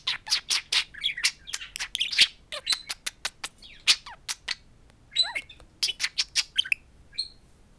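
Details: Two pet budgerigars talking and chattering at a mirror indoors: dense run of rapid clicks, buzzy squawks and warbled phrases between 1 and 8k, nearly continuous for about five seconds, a short pause, then more bursts.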